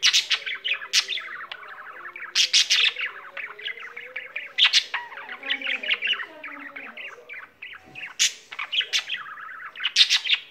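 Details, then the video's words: Domestic budgerigar in full song, a long, nonstop chatter of scratchy clicks, squeaks and harsh bursts, with quieter soft warbled notes midway and loud chirps returning toward the end. "Mirtillo, il cocorito canterino"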